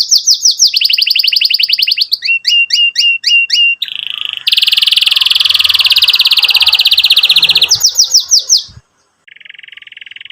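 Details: Canary song for young birds learning to sing and for canaries that went quiet: swept trills, repeated two-part chirps, a long loud rattling roll, more sweeps, then a quieter flat trill after a short pause.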